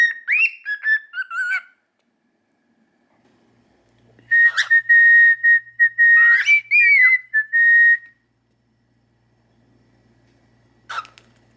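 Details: Pet cockatiel held in its owner's hand, one of two kept indoors, a normal pied and an albino: clear whistled phrases near one pitch with quick rising and falling slides, in bursts separated by silence, ending with a short chirp.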